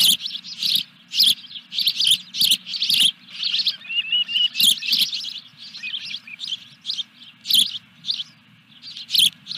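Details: Fish delivery at an osprey nest, Dunrovin Ranch, 14 July 2021: insistent high-pitched chirps in irregular runs, with a softer whistled note midway, above a low steady hum.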